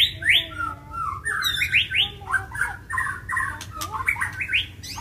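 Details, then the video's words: White-rumped shama, agitated and fighting after being provoked: harsh, buzzy, scratchy notes and quick chattering phrases repeated about three times a second, with a short rapid trill early on. "MURAI BATU TARUNG || PANCINGAN MURAI BATU EMOSI IKUT GACOR DAN FIGHTER"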